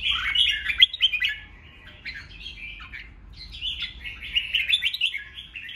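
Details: Red-whiskered bulbul singing in the ché style, a provoking song meant to spur rival birds to sing back; busy warbled phrases of quick slurred whistles and chirps, a brief pause near the third second, then a fresh burst.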